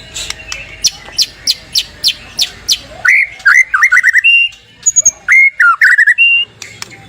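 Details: White-rumped shama morning song meant to prompt other shamas to sing: a run of sharp high repeated ticks, then a burst of varied rich whistles, slurred phrases and rising notes.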